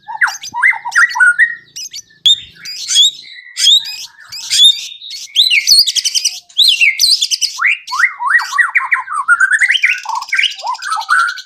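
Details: Lively white-rumped shama song played to get other birds singing, with clipped whistles, high chatter and a long run of quick rising and falling slurred notes.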